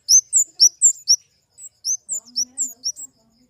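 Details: Flowerpecker giving very high, thin chirps, each a quick sliding note, in two bursts of about five notes separated by a short pause.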